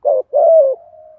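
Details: Spotted dove lure call used to train decoy birds and attract wild doves: a short low hooting note, a brief gap, then a longer slurred coo trailing off into a faint sustained tone.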